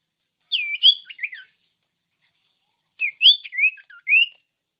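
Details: Common iora song used as a master recording to provoke lazy birds into singing: two bursts of clear whistled, slurred notes with rising and falling sweeps, separated by a pause of about one and a half seconds.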